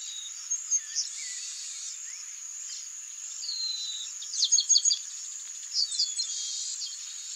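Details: At Garibaldi, a male Chestnut-capped Blackbird calls with a few thin slurred whistles, then a rapid run of sharp chips near the middle and another short cluster later, all beneath a constant high-pitched insect buzz.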